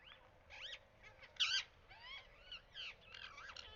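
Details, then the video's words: Parrot giving loud, harsh, rasping screeches, several in under four seconds, with bending up-and-down tones. The loudest burst comes midway. The background is quiet. "Parrots Voice | तोता | तोते की आवाज"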